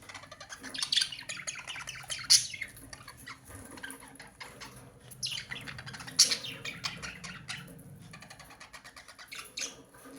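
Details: Budgerigars give harsh squawks and rapid chirps, with steady twittering chatter underneath.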